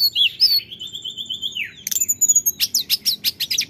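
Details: Male orange-headed thrush lure song opening with a long sustained whistle that slides downward, followed by a burst of rapid, sharp repeated notes.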